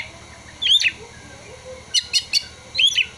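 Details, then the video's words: Oriental magpie-robin song carrying prinia and sunbird imitations: a looping whistled phrase, a quick trio of high ticking notes, then the looping phrase again. "Kacer (materi ciblek dan kolibri)"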